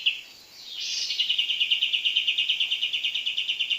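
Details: Sooty-headed Bulbul during bird trapping, as the bird comes in: a short high note, then a rising slur into a steady rapid trill of pulsed notes, about seven per second, over faint background hiss.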